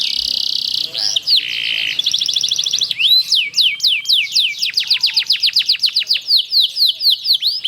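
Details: Canary used as a lure to make other canaries sing, giving a long rolling song: a dense buzzy trill, then rapid repeated downslurred whistled notes, about four per second, continuing steadily to the end.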